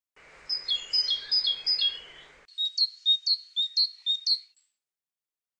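Eurasian skylark: bright, high chirping notes in quick runs of about three per second, played twice, first over a soft background hiss, then clean.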